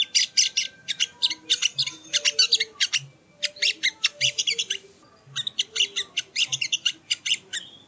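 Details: Training-audio song of a sogon, also called sogo ontong: long run of fast, sharp, high twittering notes in rhythmic clusters, with one short break before the chattering resumes.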